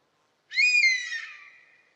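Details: Buzzard sounding a single plaintive mewing cry, sharp in onset, gliding downward with a slight waver and dying away over about a second and a half, with nothing else audible.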